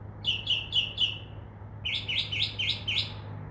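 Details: Northern mockingbird in a tree outside a window, singing after midnight and mimicking other sounds; two phrases of fast repeated chirps, the second set harsher and rising, around four notes per second, over a faint hum.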